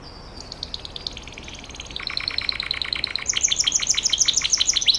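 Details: Gloster canary song, offered as audio for training a canary: rapid trilled phrases of repeated high notes, shifting pitch and tempo every second or so, growing louder toward the end.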